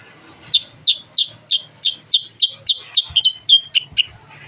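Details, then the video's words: Kutilang sutra (sooty-headed bulbul) singing gacor-style as a lure for bulbuls; a brisk series of about fourteen clipped high chirps, evenly spaced, a low hum beneath. "kutilang sutra super gacor cocok untuk pancingan"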